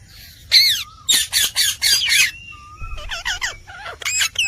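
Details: Indian parrot giving natural talking sounds: a loud series of harsh rasping squawks, followed by a level whistle and quick wavering, voice-like syllables, ending in more squawks.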